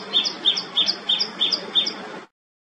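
Common Tailorbird: a loud, sharp series of high two-part chirps, about three each second, repeated six times with little else heard.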